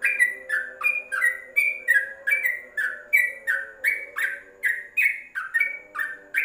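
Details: Trucuk, or Yellow-vented bulbul, singing tutor song for caged birds inside a cage cover: a long, lively series of about twenty slurred whistles, rising and dipping in turn, nearly three per second.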